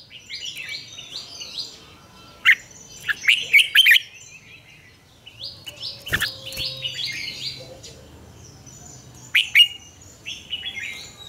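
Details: Red-whiskered bulbul morning song, mature wild double-note type, used to train other bulbuls; runs of quick downslurred whistles and loud warbles around 3 to 4 seconds and again near 9.5, thin chirps of other birds throughout.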